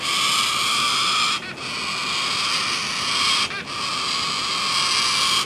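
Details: Yellow-crested Cockatoos at Lorne, fearless of people and being fed, screech in a harsh, raucous, near-continuous stream that breaks off twice for a moment.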